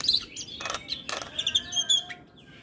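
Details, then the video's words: Brief burst from a Javan myna in full song: scratchy broadband rasps followed by thin high whistled notes, fading out at the end. "Suara Jalak Kebo Gacor Full Isian"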